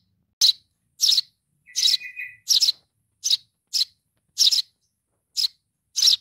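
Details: Baby sparrow calling for mom with rapid, irregular harsh chirps, plus a brief thin whistled note in the middle of the series.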